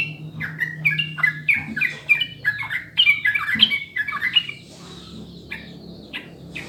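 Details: Sooty-headed bulbul master song, clear, used to lure other birds into singing quickly and steadily: a dense run of slurred, bubbly notes for four seconds, then sparser chirps, over a low steady hum.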